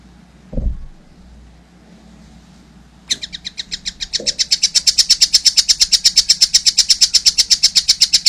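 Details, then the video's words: After a dull thump and a quiet pause, a young collared kingfisher launches into a long, unbroken run of fast, harsh, chattering notes repeated steadily, nearly three per second, growing louder. "wow masih kecil udah gacor , anakan burung tengkek buto"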